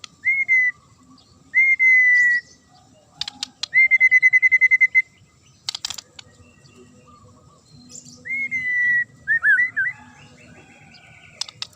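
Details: Magpie-robin (murai) with a sharp provoking song: long level whistles alternating with rapid trilled runs and clicks, closing in a quick warbled flourish.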